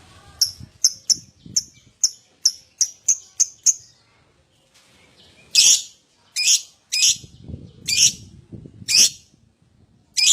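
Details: Lovebird sounds used to encourage other lovebirds to sing: a quick series of short, high chirps at half-second spacing, then a pause and louder, harsher squawk-like chirps, with low background murmur.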